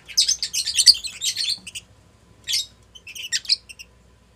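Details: A strongly bonded lutino Fischer's lovebird pair mating inside their house, giving dense, rapid high-pitched chattering for over a second, then short bursts of squeaky twittering after a pause.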